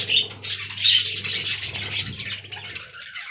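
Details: Dense, unbroken high-pitched warbling and chirping from a budgerigar colony in an aviary, rapid scratchy notes running together and slowly fading toward the end, low electrical hum beneath.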